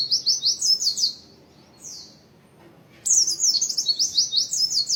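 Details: Dense 'materi rapat' singing from an Oriental white-eye, with rapid runs of high, sharp chirps, a brief gap, then an even busier stream of twittering notes.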